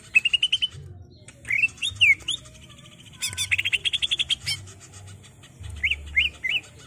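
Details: Greater green leafbird in varied song used for captive-bird training: quick repeated notes, slurred whistles, a dense rattling rising run, then three looping whistles, low hum underneath.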